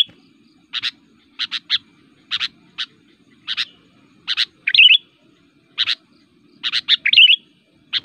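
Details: Kutilang, a persistent active fighter whose voice provokes rival kutilang, for forest lure or tutor use: spaced pairs and triplets of sharp clipped chirps, twice broken by a brief bubbling warble, with steady quiet hum behind.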